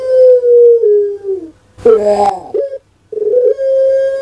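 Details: Prize-winning caged puter pelung from Java, Indonesia, singing its typical competition voice: a long level hum sliding slightly down, a rough rolling gurgle, a short knocking note, then another sustained hum.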